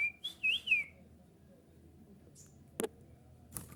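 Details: Golden kutilang song meant to lure other bulbuls into answering: one quick fluting whistle that rises and dips, then near silence broken by two sharp knocks.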